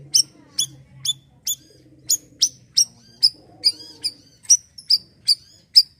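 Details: Asian glossy starling delivering siri-siri style song, a training sound for untrained birds: about sixteen crisp, high, slightly ringing chips in six seconds at a fairly even pace, with low muffled background noise.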